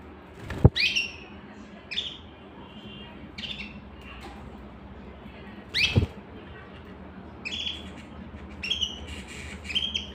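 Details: Canary uttering short, bright chirps with quick falling slides, spaced irregularly and with a few clustered near the end, over a faint hum and two loud clicks.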